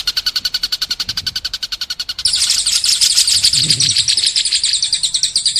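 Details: Training recording of White-rumped shama (murai batu) song for contest and young birds: a rapid pulsed high trill gives way to a dense, loud run of sharp, high chattering notes, densely packed and unbroken.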